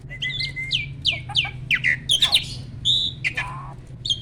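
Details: Adult male Asian pied starling kept caged, in breeding condition, sings a thin whistle, then a series of falling squeaky slurs, scratchy notes and a short clear whistle, over a low background hum.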